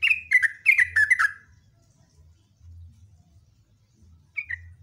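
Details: Sooty-headed bulbul opening with a loud, fast run of slurred chirping notes, then a pause with low hum before a short new phrase begins.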